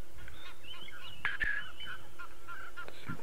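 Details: Egyptian goose flying high overhead on a hot sunrise drive on 22 November 2016: a short run of hoarse, nasal honks over a steady low rumble, faint thin bird notes behind.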